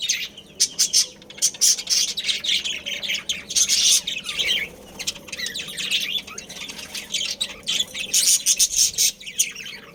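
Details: A budgerigar breeding colony with several birds. Fast, scratchy chirps and squawks run almost continuously. There is a brief softer lull in the middle, then the dense twittering picks up again.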